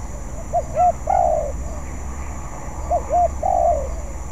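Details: Spotted dove in training, a young bird learning to sing: two brief coos and a longer wavering coo, the phrase given twice about two seconds apart, over a constant high hum.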